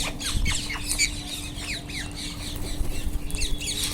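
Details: Wild Indian ringneck parakeets screeching: harsh, squawking notes and falling shrieks in quick irregular bursts from several birds, over a constant low hum.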